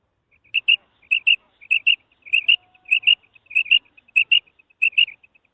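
A female common quail gives high, clipped double notes, pip-pip, repeated about every half second in a steady run. Nothing else is heard in the background.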